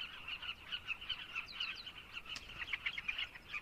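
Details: Overlapping calls from many carmine bee-eaters in Zambia form a continuous burry chatter. Brighter, clipped notes stand out toward the end.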